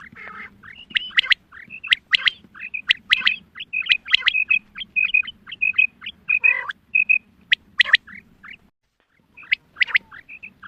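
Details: Quail hen voice used for hunting: dense run of short, high whistled notes and sharp clicks, pausing briefly before a few more notes at the end.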